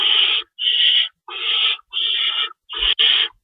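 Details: Owls at a nest at 3:53 AM on March 25, 2012, feeding time with two rabbits stored and one adult staying in to shred food; six harsh, breathy hissing screeches of about half a second each, evenly spaced with short silences.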